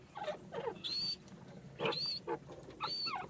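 Grey francolin giving loud, harsh, repeated phrases about once a second, each climbing to a high, ringing whistled note, over a faint background hum.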